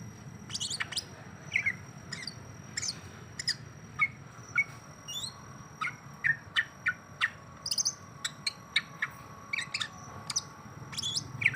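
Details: Greater green leafbird singing with jamtrok character, stirring up a rival; rapid irregular bursts of sharp, high chirps and short whistled notes, some sliding, over a steady low hum.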